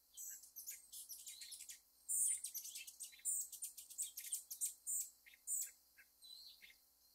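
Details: Rufous hummingbird, one of the feistiest in North America, bursting into a dense, excited chatter of very high, squeaky buzzing chips, loudest in the middle, then trailing into scattered single ticks.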